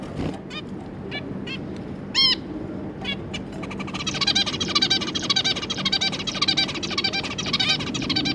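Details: Zebra finches, two adults with their three juveniles, recorded 25 July 2022: scattered short nasal stacked call notes, then from midway a dense, fast, buzzy chattering song of rapid harmonic notes running on without pause over a low steady hum.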